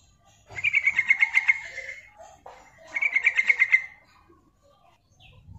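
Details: Calling female yellow-vented bulbul, used for trapping wild birds: two rattling series of quick, loud pulsed notes at a steady high pitch, each about a second long, then quiet.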